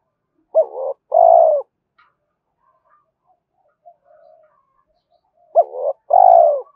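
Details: Spotted dove cooing to lure wild rivals, in a calling and urging style: two low coo phrases about five seconds apart, each a short wavering rising-falling note followed by a longer, smooth, slightly descending drawn-out coo; quiet background.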